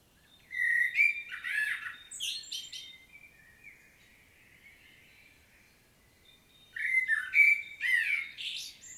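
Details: Field recording from Świnoujście, Poland, on 25 September 2022 of a common blackbird's solo song: a warbled flute-like phrase with a scratchy high ending, a quiet gap of several seconds, then another rich phrase.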